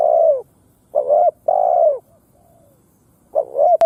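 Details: Spotted dove serving as a ground lure to provoke wild doves to fight: a falling coo, then a short and a long coo, a soft faint note, and a fresh rising coo at the end.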